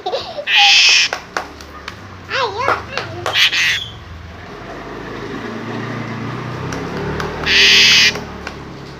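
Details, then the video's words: Asian pied starling producing two loud, raspy screech bursts separated by a run of squeaky, zigzagging whistled notes and clicks, over a low background hum. "burung jalak suren menjerit"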